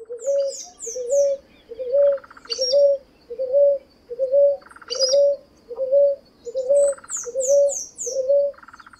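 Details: A Ruddy Ground Dove (Columbina talpacoti) among urban birds sings, repeating a soft, low cooing note at a steady pace, about one a second.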